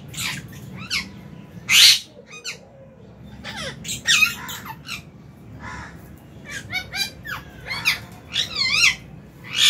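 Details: Lovebirds in an aviary colony, including albino, Fisher's and lutino birds, at meal time in January 2023; sharp harsh chirps and squawks, some with wavering notes, in scattered bursts, with a low steady hum behind.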